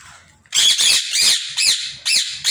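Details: Indian ringneck parrot in an aviary giving loud harsh squawks, a burst of rasping screeches followed by two more shorter cries after brief pauses.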